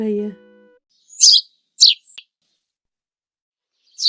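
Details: House sparrow (Passer domesticus), chirps.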